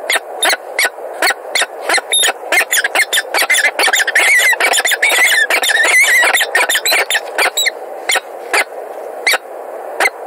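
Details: Peregrine falcons in Montreal, 16 February 2017, giving rapid harsh, rasping calls in uneven bursts, roughly eighty per minute. The calls run almost continuously through the middle and thin out towards the end.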